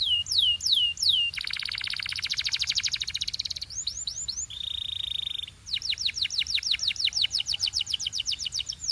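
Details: Canary delivering a rich song: falling whistles, a long dense rattling trill, a steady flat buzzing note, then a run of evenly repeated rising-falling whistles.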